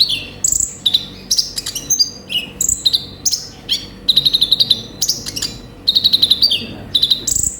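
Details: Olive-backed sunbird, called konin, singing with full varied fill: mixed high squeaky slurs, sharp whistles and bursts of rapid stuttering trills, delivered continuously in quick succession.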